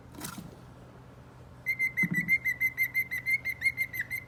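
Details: A male cockatiel sings happily inside his cage, whistling a steady, clear note in quick pulses, about three each second.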